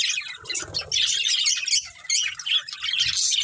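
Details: Budgerigars, a breeding pair in a family flock, kept birds: harsh squawking notes and chirps in loud bursts, with a lower muttering phrase early and a few soft thumps.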